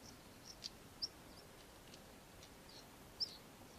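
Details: European stonechat (Saxicola rubicola), call.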